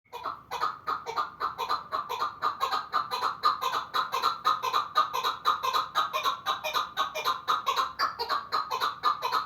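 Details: Chukar partridge from the Pamir calling in a steady run of hoarse, clucking chuck notes, about two per second, evenly paced and loud throughout, with no other sounds clearly heard.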